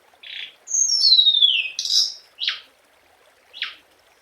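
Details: Scarlet minivet (hồng hạnh) song: a long descending whistled slur sliding from high to lower pitch, flanked by short buzzy high notes, with brief pauses between phrases; no other sounds.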